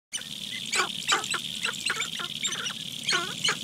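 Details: Sharp-tailed grouse on a lek in Nebraska National Forest and Grasslands near Halsey, Nebraska, give short, sharp clucks and chatters about three a second at an uneven pace, over a steady high hiss.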